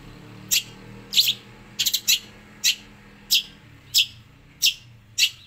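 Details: Long-tailed shrike mimicking sparrow and prinia calls; sharp, bright, high chirps repeated roughly every half to three-quarters of a second, one quick triple cluster, over a faint steady low hum.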